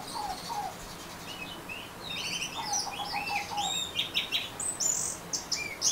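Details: Orange-headed thrush singing in the ngeriwik style: a varied string of short high chirps, trills and slurred whistles, with a few lower notes near the start and a faint background hiss.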